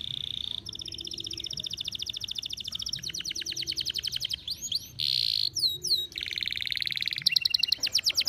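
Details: Canary singing while over birahi, in strong breeding condition: long buzzy trills and a piercing steady whistle alternate with quick upswept and looping notes, ending in a rapid rolling trill.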